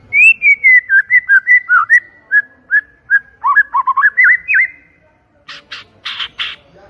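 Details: Loud, clear lure song of a white-rumped shama: a falling series of about a dozen evenly spaced whistled notes, quick looping phrases, then harsh rasping bursts.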